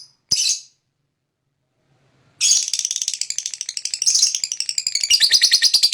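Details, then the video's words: Lovebird fighter ngekek song, a lure recording to provoke other lovebirds into answering: one sharp high chirp, a pause, then a long, fast, buzzy high-pitched chatter of rapid pulses that speeds and thickens toward the end. "pancingan lovebird fighter dengan ini AMPUH ikut ngekek"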